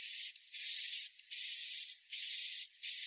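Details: Swiftlet roosting call, played to attract swiftlets to a new bird house: harsh, hissy buzzes with a thin high whistle running through each one, about half a second to three-quarters of a second long, separated by short gaps and repeated over and over.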